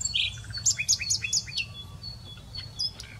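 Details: A common nightingale opens with a loud chirp, then delivers a quick series of sharp, descending high notes roughly four per second, followed by softer scattered whistles above a faint low hum.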